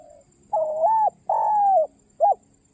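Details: Spotted dove calling its companion: three cooing notes, two long level coos of about half a second each followed by a short clipped coo, in a quiet indoor setting.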